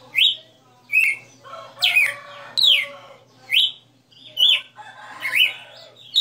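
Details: Red-cowled cardinal, a galo de campina kept in a cage, singing its 60-note melody: bright whistled slurs with buzzier notes between, phrases spaced about a second apart.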